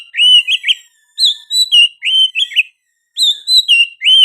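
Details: Oriental magpie-robin singing vigorously, its song including sooty-headed bulbul phrases: rich, fluty whistled phrases that rise and fall, strung together almost without pause and repeated after a brief gap.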